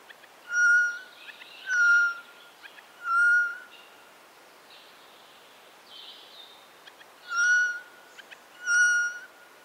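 Eurasian jay giving short, nasal, ringing calls, three in quick succession, a pause with softer notes, then two more; quiet background.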